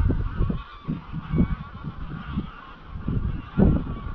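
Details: At dusk on Anglesey, a wild flock of greylag geese heads from pasture to Llyn Maelog near Llanfaelog; scattered honks, a louder burst near the end, with heavy wind buffeting throughout.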